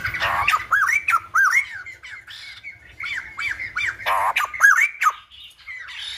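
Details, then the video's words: Silver-headed babbler, known in Vietnam as Khướu Đầu Bạc, singing like a lumba dancer: lively phrases of looping, up-and-down whistled notes mixed with short raspy squawks, delivered in quick uneven bursts with brief pauses. "Khướu Đầu Bạc / Silver -headed Babbler / Singibg like aLumba Dancer"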